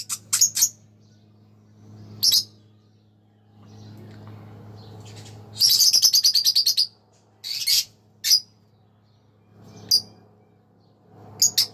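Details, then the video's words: Green Fischer's lovebird pair chirping and singing, with high, piercing chirps in short bursts and a rapid run of fast repeated notes near the middle, over a low background hum. "Lovebird Singing & Chirping Sounds _ Green Fischer pair"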